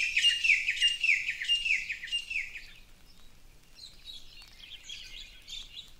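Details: Birdsong in a Big Island, Hawaii tropical forest: clear repeated whistled phrases with a falling slur, then softer scattered chirps.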